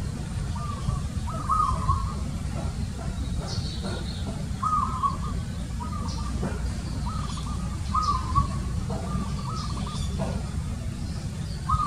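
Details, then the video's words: Zebra dove giving a series of brief, rolling, trilled coos in irregular bursts, some phrases close together, against steady deep background rumble and scattered faint high clicks. "Zebra DOVE Call"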